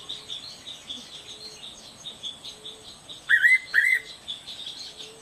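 Fairy pitta gives two loud, clear whistled phrases, each sliding up then down, half a second apart, over steady high chirping from other birds and an insect hum.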